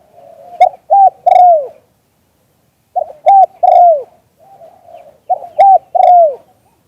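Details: Auspicious spotted dove in "liu tan" style, recorded live: three repeated cooing phrases roughly two and a half seconds apart, each a brief note, a flat held coo and a long falling coo, with quiet murmurs before each.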